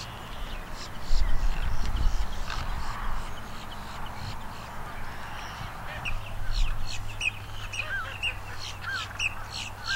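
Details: Long-billed dowitchers at the Celery Fields, Sarasota, Florida, heard up close giving quick, thin, high-pitched notes in irregular runs, with a few brief rising whistles near the end and a low background hum throughout.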